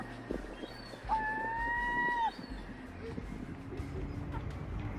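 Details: Gull among ducks on water in Norway in September, giving a strange call: a single drawn-out, steady tonal note lasting about a second with a slight rise then drop at the end, over low rumbling background noise.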